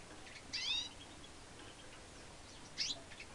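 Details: Goldfinch x redpoll hybrid singing, 2013: two short bursts of high, rapid twittering notes about two seconds apart, the first a brief buzzy trill, against faint background hiss.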